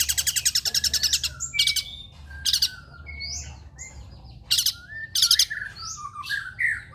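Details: Long-tailed shrike song meant as a lure for singing shrikes: opens with a rapid rattle, then harsh scratchy bursts alternating with brief whistled, rising and falling notes.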